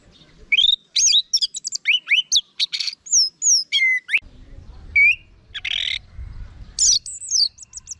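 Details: An orange-headed thrush delivers a rich, rambling song of rising and falling whistled slurs mixed with harsh rasping notes and quick trills, phrases tumbling closely together with short pauses, over a quiet low hum.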